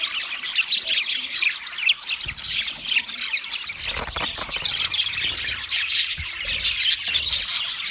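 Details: Flock of wild budgerigars giving steady, busy high-pitched chirps and squawky twitters that overlap without pause, with a few soft low thumps.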